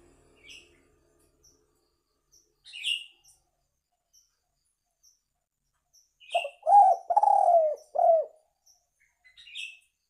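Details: Spotted dove call used as a lure: after a quiet start with scattered high chirps from other birds, one soft phrase of four low coos, the long third note sagging downward.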